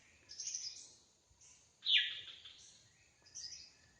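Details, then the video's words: Wild drongo singing actively: soft high chattering notes, then a loud, sharp downward-sweeping whistle near the middle, followed by a quieter high twittering phrase, with faint rural background hiss. "Suara burung srigunting asli di alam liar gacor"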